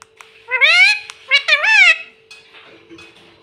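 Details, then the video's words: Pet parrot indoors, known for saying "mummy" and "papa", produces two drawn-out, wavering, voice-like phrases with rich harmonics, then faint clattering like dishes. "Parrot sound mummy 🥰 mummy mitthu ko roti do🤩parrot natural sound 😆 मम्मी पापा बोलता तोता"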